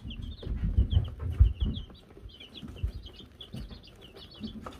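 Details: Wyandotte chicks of three laced varieties on a brooder cam in May 2022 with a bell; rapid, continuous high peeping, about two per second, over loud low thuds early on.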